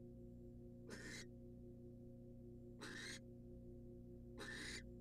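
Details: Wild female barn owl inside a nest box, getting a rat from the male; three separate raspy hissing shrieks spaced about two seconds apart, a persistent low hum throughout.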